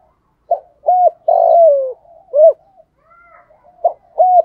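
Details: Spotted dove used as a lure bird, calling to wild birds: low hollow coos in short groups, one longer drawn-out coo falling in pitch, then more clipped coos.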